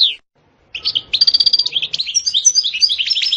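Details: A European goldfinch sings a motivating song in 'sitsita' and 'betbeta' style: one high falling note, a brief silence, then lively twittering with a rapid rattled trill and quick sliding, tinkling notes.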